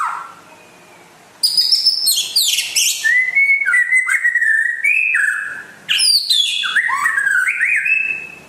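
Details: West Aceh white-rumped shama, called rare, delivers a fast, varied song: piercing high chips and trills mixed with ringing mid-pitched whistles, rising and falling notes tumbling together after a brief silent start.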